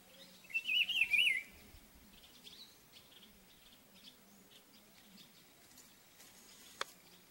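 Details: Rufous-browed peppershrike perched in an ipê tree, singing to mark territory; a single loud, wavering whistled phrase near the start, then several seconds of faint background with soft distant chirps and a sharp click.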